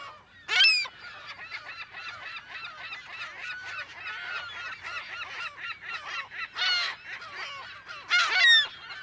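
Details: Dense chorus of California gulls calling in a colony, close to medium perspective, mono: constant overlapping squealing calls, punctuated by several loud, harsh screams from nearby birds.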